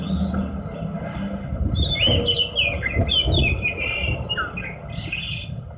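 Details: Horsfield's bush lark (branjangan) kept as a hobby bird sings busy, chattering phrases of quick whistled and slurred notes, with a low background hum throughout.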